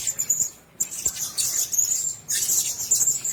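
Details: A cage of blue-crowned hanging parrots: high thin notes, a short silence broken by a knock, then renewed shrill twittering that swells loudly toward the end.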